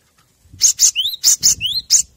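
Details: Cinereous tit master song for captive birds: sharp, hissing double notes broken by two bright upslurred whistles, a short lively phrase with slight low background noise.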